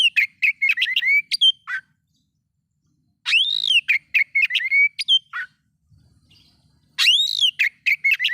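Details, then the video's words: Oriental magpie-robin singing to provoke other magpie-robins into agitation: bursts of clear whistled notes with sharp upslurs and slurred trills, delivered in three phrases separated by pauses of about a second. "bikin Kacer Lain ikut emosi coba buktikan dengan suara ini"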